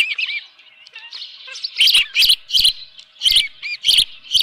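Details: Nesting osprey with a live fish, 24 June 2018, 7:32 AM on a ranch; softer whistles open, then a string of loud, high, squealing chirps about every half second, each paired with a sharp knock.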